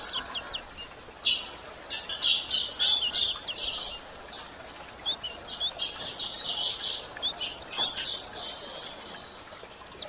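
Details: Female White-throated Seedeater calling to stimulate males: a short volley of ticks, then rich rapid buzzy twittering, followed by looser high chirps and clicks; light background hiss.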